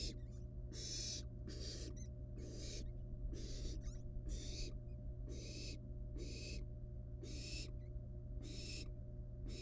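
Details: Wild barn owl nestlings at the nest, playing with a live rat before eating it. A rapid, overlapping series of raspy hisses is heard over a steady low background rumble, with faint scratchy sounds between calls.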